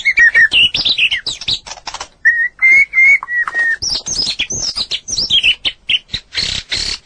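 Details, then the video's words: Singing white-rumped shama on a long training recording: quick rising chirps, a short series of flat sustained whistles, then high, rapid twittering notes with scratchy bursts. "Masteran burung murai batu durasi panjang burung gacor owor owor"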